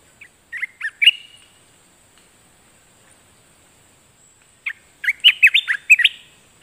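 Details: Caged streak-eared bulbul used as a decoy for a wild bird sings a short phrase of slurred chirps. Silence follows, then a longer, louder run of about eight rapid, bubbly notes.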